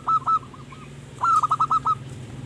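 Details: Perkutut, the zebra dove, cooing as a lure for wild birds: two short cooing notes, a soft pair, then a quick run of five rolling coos, each note brief and level, low steady hum beneath.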